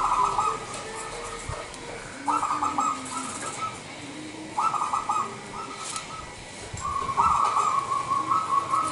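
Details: Local zebra dove cooing as a lure to draw in other zebra doves: several short bursts of repeated mid-pitched coos a couple of seconds apart, over a steady noisy hiss.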